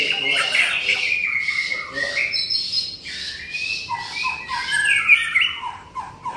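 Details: White-rumped shama gacor singing: a harsh, drawn-out whistle at the start, followed by scattered chirps, slurs and lower chattering notes.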